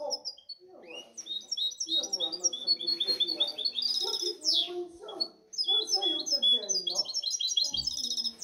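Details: European goldfinch hybrid singing a long, busy song of high tinkling twitters and fast trills, almost without pause, over faint low warbling background sounds.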